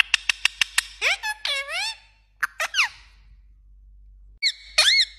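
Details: Parrot copying mobile message sounds indoors: rapid clicks, falling and rising harmonic whistles, a couple of brief notes, a longer near-silent stretch, then a final burst of held tone-like whistling.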